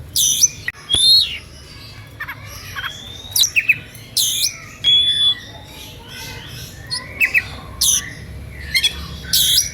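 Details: Oriental magpie-robin in provocative song meant to make hearers sing too: harsh scratchy bursts alternating with brief clear whistles and downward slurs, sounded repeatedly over about ten seconds.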